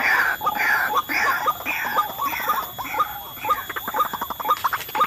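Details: White-breasted waterhen (ruak-ruak) calling at an untouched forest spot during bird luring: dense, overlapping bursts of hoarse, clipped notes, about two per second, with some higher squealing notes above and steady electronic hum.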